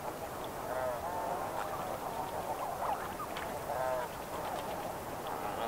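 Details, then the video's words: Snow Geese in flight: close-up nasal, barking honks and a few clear calls over a steady babble from a flock calling continuously at medium distance. "Snow Goose. CU Flight Calls With MD Flock Calls."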